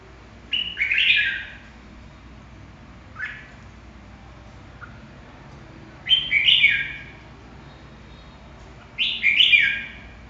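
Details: Red-whiskered bulbul song in a quiet setting: three lively phrases of quick, jumbled whistled notes, about three seconds apart, with a single short chirp and a faint note between them.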